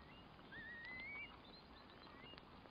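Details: Curlew giving a single long whistled call that slides up in a gentle wavering line and then drops away, over a soft hiss of background noise.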